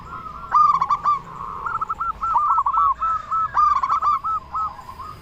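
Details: Local zebra dove, loud and steadily singing, meant to prompt other doves. Brisk rolling coos given in a run of short evenly spaced notes, with two sharper bursts, other doves audible faintly.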